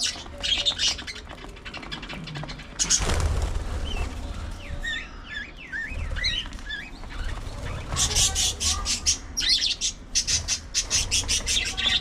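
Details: Budgerigars at early morning feeding time chatter in a wavering, warbled phrase mid-clip, with bursts of sharp, high, scratchy chirps before and after, over clattering and low background rumble.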